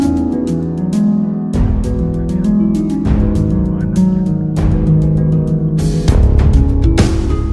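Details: Loud plucked-string music with bass and percussion plays throughout, with no animal sounds.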